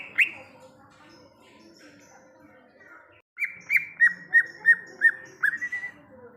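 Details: Greater green leafbird in the wild: a loud note, then a run of clear, downslurred whistles repeated about every third of a second, ending in a rising whistle; faint background birds, brief speech nearby.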